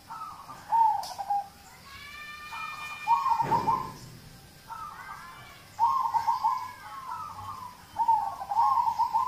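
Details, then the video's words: Zebra dove of local stock singing to prompt other birds: repeated short phrases of quick, bubbling low coos roughly every two to three seconds, with a sharp click and another bird's brief harmonic chirps in between. "Audio terapi perkutut lokal untuk pancingan"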